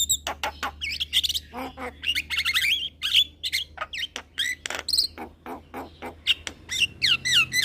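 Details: A young Javan myna sings vigorously with head-nodding, giving a long, varied medley of clicks, harsh chacks and looping whistled phrases, some notes sliding downward in quick repeated series near the end.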